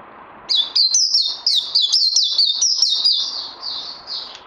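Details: Trained pet bird, recorded 18 May 2020 after the Covid-19 break, sings a bright run of high whistled notes with quick downward slurs, roughly four seconds of continuous phrases, then tails off softly.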